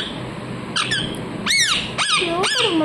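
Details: Pet parrot indoors giving a run of sharp, arched squawking calls, each rising and falling quickly, about two per second, with a woman talking to it in Hindi.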